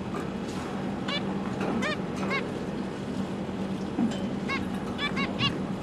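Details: Zebra finch family of two parents, three juveniles and three new babies, 12 December 2022, parents feeding young: a busy series of short nasal, trumpet-like honks, about ten notes, over a constant low hum.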